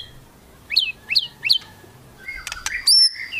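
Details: White-rumped shama kretekan song used to stir rivals into singing: three quick rising whistled notes spaced under half a second apart, then sharp clicking bursts and a bright high whistle after a short pause.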